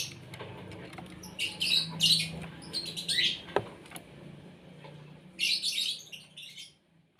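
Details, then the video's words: Asian pied starling (jalak suren) at morning feeding: two groups of raspy, chattering high phrases separated by a pause, a sharp knock between them, low hum beneath. "BURUNG JALAK SUREN SUPAYA GACOR"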